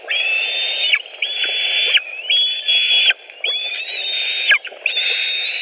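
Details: White-tailed eagles at a Latvian nest, 5 July 2018, evening, with fish: sustained high whistles of about a second each, given back to back with short pauses, some slightly rising, plus light knocks.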